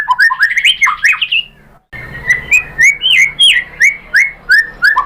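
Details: White-rumped shama lure song meant to provoke singing: a burst of varied rising whistles, a short break, then a steady series of upslurred whistled notes about three per second.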